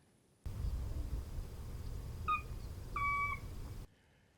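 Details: A sora rail calls unseen from marsh at a Louisiana national wildlife refuge near New Orleans: two clear whistled notes, a short one then a longer, slightly falling one, over a steady low rumble of wind.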